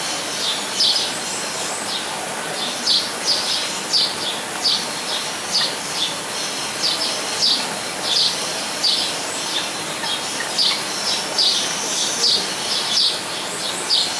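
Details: Blue-and-yellow tanager (Thraupis bonariensis) in an aviary at Weltvogelpark, Walsrode, Germany: short, high chirping notes repeated roughly every half second to second, some doubled, over a steady hiss of background noise.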